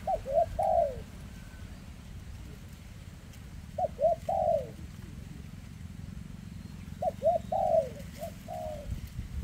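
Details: Spotted dove with an injured leg, recorded outdoors in 2024: three repeated phrases of two quick clipped coos followed by a drawn-out falling coo, spaced about three seconds apart over low background rumble.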